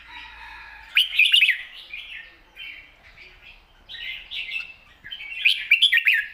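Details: Red-whiskered bulbul kept as a cage bird delivering a long, wild-style song with rik notes: a rich warbled phrase, softer slurred whistles in between, then another fluted, rolling phrase at the end.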